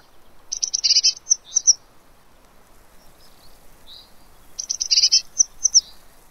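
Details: Eurasian blue tit at a fat ball feeder in Pellerey, France, filmed on 3 March 2017; two bursts of high, thin chirps and tinkling notes, each about a second long, separated by quieter single chips.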